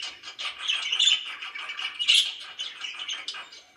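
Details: Chirping pet budgies, a soft, steady warble of quick pulsed chirps with a couple of brighter squeaks standing out.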